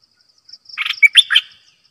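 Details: A single bright, liquid phrase from a decoy bulbul: several quick chortling notes rising to a clear whistled peak, with a thin high pulsing buzz behind.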